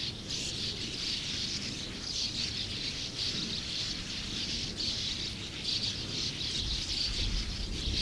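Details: Sand martins, a colony numbering over 100, produce a steady wall of scratchy, high chirping twitters with pulsing surges every second or so over a soft rumble.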